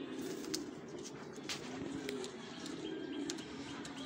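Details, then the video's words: Fancy pigeons give a dense run of low, rolling coos with short gaps between them, mixed with clicks and faint sharp knocks. "ফেন্সি কবুতর ||fancy kobutor"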